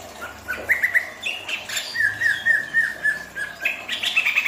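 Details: Greater green leafbird in breeding condition, eager to mate, giving a rambling string of chirps and a long, slightly trilled whistle, ending in a rapid burst of high twittering notes.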